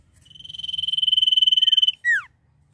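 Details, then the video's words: Common iora in full nyiul song: one sustained, rapidly pulsed high whistle grows louder over nearly two seconds, then breaks off into a short, sharply falling slurred note. "CIPOH GACOR FULL NYIUL"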